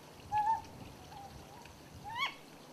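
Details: Ryukyu scops owl on Yonaguni, one individual giving both male-type and female-type calls: a soft, low hooting whistle, a fainter echoing note, then a sharper upslurred 'kyo' with ringing overtones, over quiet background.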